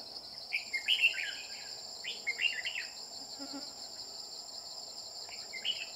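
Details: Red-whiskered bulbul singing during trapping with a decoy bird, aimed at a bell-voiced male: short warbled, chattering phrases at about 0.5, 2 and 5 seconds over a steady high insect drone.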